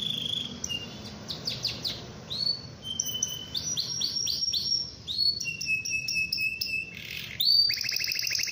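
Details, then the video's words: Atlantic canary singing to provoke other canaries to join in: rapid chirping trills, sweeping high notes, a sustained flat whistle and a closing buzzy rattle, delivered without pause. "Kenari gacor memancing Lawan.ampuh bikin kenari lain ikut gacor"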